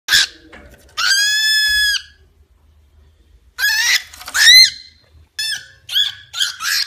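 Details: Pet cockatiel, a small lively male, attacking a small pillow indoors to show his resentment: loud harsh squawks, some held nearly a second, others short and clipped, in bursts with brief pauses.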